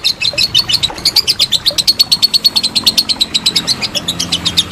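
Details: Lovebird giving a long ngekek trill, used as training material for contest birds: a rapid, steady run of sharp, high chattering notes, about eight per second, continuing without break throughout.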